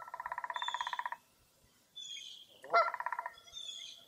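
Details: Birds on a foggy early April morning at Mirror Lake State Park in Baraboo, Wisconsin. Two buzzy pulsed trills and one harsh call, with high thin whistled phrases in between.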